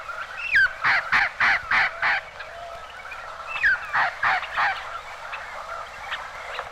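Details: Red-crowned Parrot squawking in northeastern Mexico, old field recording; two fast series of five or six rasping squawks, each led by a rising whistled note, over a faint background with a Common Ground Dove.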